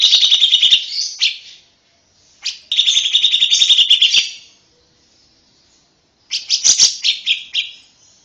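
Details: Lovebird song offered as a master recording for training young lovebirds: bursts of shrill, rapid chattering trills, each lasting about a second, separated by short silences.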